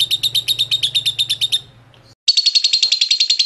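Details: Lovebird singing: a burst of quick, evenly spaced shrill chattering notes, then a short silence, then a second, slightly higher and brighter run of rapid pulses.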